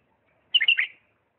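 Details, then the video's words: Bulbul from Diyala, a refined song style, giving a short phrase of rich warbled whistles between two and four kilohertz, three quick linked notes lasting under half a second on a quiet background. "اجمل تغريد بلبل ديالى طور لسانات راقيه"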